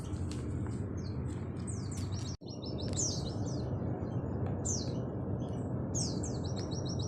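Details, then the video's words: Oriental white-eye, Auri type, in nembak-style song: scattered high twittering phrases and short rapid trills over a loud, steady low rumbling background with one brief dropout. "Masteran full materi burung pleci nembak sejalur Pleci auri"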